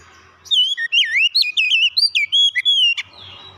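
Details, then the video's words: Kacer, or oriental magpie-robin, pours out a continuous two-and-a-half-second stream of sweet, swooping whistles with deep dips and sharp rises, over soft low background noise. "kicauan ampuh mempercepat pemulihan Kacer macet bunyi langsung gacor"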